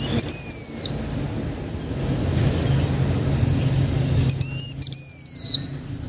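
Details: Blue-winged minla performing lure song for H'Mông bird keepers: two high, pure whistled phrases about four seconds apart, each a short rising note and a longer gently falling note, over faint low hum.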